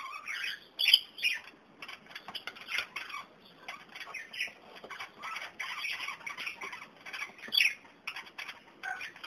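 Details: Kakarikis (New Zealand parakeets), young and adult birds, with dandelions, the young ones discovering them, give harsh, scratchy squawks and chatter in quick irregular bursts, with a few sharper high chirps near the start and end.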